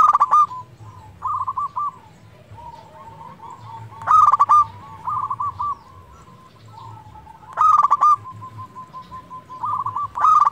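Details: Caged local zebra dove singing as a lure to rouse lazy birds, loud clipped coo bursts repeated about every four seconds amid a steady chorus of softer purring coos from nearby doves.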